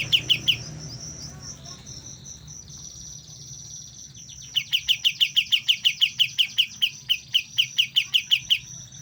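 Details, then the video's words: Young white-eye starting to learn to sing: after a few brief chips and a thin whistled tone, it launches a long, rapid string of sharp, piercing repeated notes, slightly uneven in rhythm. "BURUNG KAPAS TEMBAK MUDA, mulai belajar bunyi"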